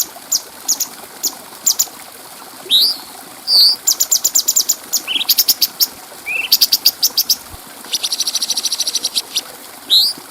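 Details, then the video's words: Bulbul recorded as a training track for other birds, with a clear voice: rapid bursts of very high, dry repeated chips alternate with short rising whistled slurs, one fast buzzy trill near the end. "Masteran Burung Cucak Cungko Suara Jernih"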